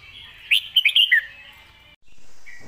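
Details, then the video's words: Red-whiskered bulbul giving a loud, clear master-song phrase: a rapid run of five liquid, bouncing whistled notes, ending on a falling note. A brief silence follows, then a faint hiss and a soft note. "เสียงดัง ฟังชัด"ซัดเต็มข้อ นกเสียงทองเพลงแม่บท#เสียงนกกรงหัวจุก"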